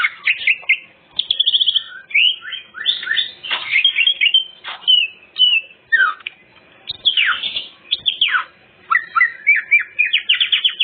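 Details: Greater green leafbird song packed with imitated material, used as a lure for other birds: a continuous jumble of clear whistles, rapid trills and sharp downward sweeps, delivered loudly without a break.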